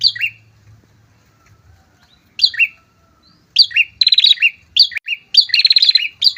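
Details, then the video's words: Loud-singing prinia pair for luring and challenging rivals: scattered descending double chirps building into fast buzzy rattles, chirps and trills tumbling together toward the end. "PRENJAK TAMU SEPASANG GACOR, COCOK UNTUK MEMANCING PRENJAK BUNYI, MEMIKAT LAWAN"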